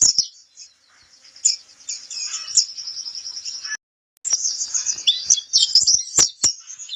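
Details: White-eye song known as pleci kapur, a training recording: sustained high buzzy trill and chirps, broken by a short silent cut, then dense twittering with a few sharp clicks.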